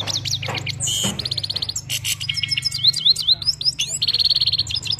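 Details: Himalayan goldfinch from Parachinar singing a lively, tinkling sequence: sharp chips, a buzzy burst, rapid repeated notes, looping whistled slurs and a long rattling trill, with a soft low hum beneath.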